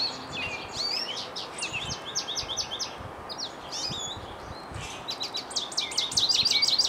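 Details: A goldfinch, just flown from a bird feeder to a birch tree, sings a springtime song: a long, rambling run of high, quick twitters and bright chirps, several notes a second, over a low steady rushing background.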